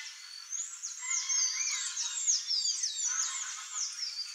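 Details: Wild Green-backed becard in nature: a busy run of high, sweet, downslurred whistles repeated about three times a second, with softer lower whistled notes underneath.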